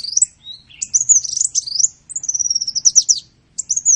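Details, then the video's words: Training song of a sunbird for cage songbirds: thin high twitters and slurred notes, then a long fast series of buzzy, stuttering pulses, closing with a short high phrase. "Masteran burung Kolibri"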